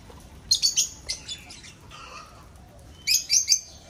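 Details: Lovebirds breeding in an aviary, giving shrill, high chirps in two rapid bursts of three to four notes each, separated by a quieter stretch of softer twitters.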